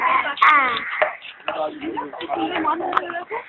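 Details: Common hill mynas at Alipore Zoo, Kolkata, India give a rapid run of varied, voice-like gurgles, whistles and nasal chatters, some sounding almost like speech, with no clear pauses.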